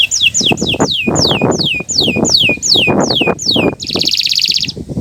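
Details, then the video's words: Kenari Nusantara canary song, used as a master recording to coax silent canaries into singing: a series of bright whistled notes, each sliding steeply downward and repeated about twice a second, ending in a buzzy trill, over low thumping noises. "Masteran Burung Kenari untuk Pancingan Burung Macet Bunyi"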